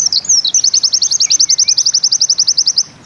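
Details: White-eye (pleci) singing in the 'nembak ziperrr' style: a fast, high, sharply clipped trill of identical notes, about nine per second, held steadily for nearly three seconds before stopping.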